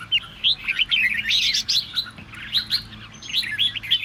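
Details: Red-whiskered bulbul voicing song to stir other birds into singing. Clear looping, whistled phrases roll out in rapid succession, with a few sharper accented notes and short gaps between bursts.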